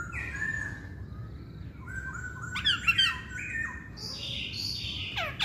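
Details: Chinese hwamei singing more quietly: soft sustained whistles at varied pitch, a sharp loud note cluster in the middle, and buzzy high notes toward the end over a faint background hiss.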